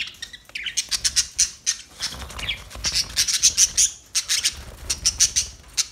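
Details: New pet budgerigars giving a busy stream of short, sharp chirps and squawks, about three per second, with a few warbled notes.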